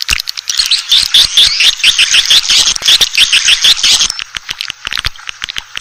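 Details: Swiftlet lure sound used to attract Asian swiftlets: a fast series of short chirping notes with dry clicks, about two per second, fading into sparse clicking at the end.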